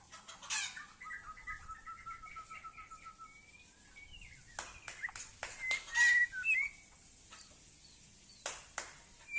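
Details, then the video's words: White-rumped shama of the Aceh type singing: an opening rapid series of short whistled notes in two parallel lines, then scattered clear whistles and sharp clicking snaps, with quiet gaps between phrases. "Murai Aceh"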